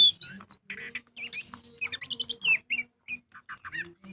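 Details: Magpie-robin (kacer) giving energetic lure song to prompt other birds: choppy chirps, buzzy notes and short whistles delivered in rapid succession over a faint low hum.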